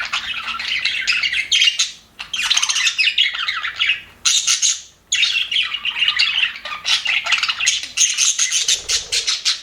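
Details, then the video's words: Busy twittering from happy aviary budgerigars comes in several long bursts of high, buzzy chirps separated by short pauses, with a faint low flutter late on. "HAPPY BUDGIES SOUNDS"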